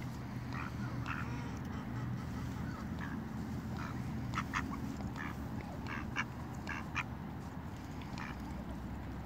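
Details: A female mallard, one of a pair, quibbles with short, nasal quacks, about a dozen in quick irregular bursts, warning away other ducks seeking snacks, over a steady low rumble.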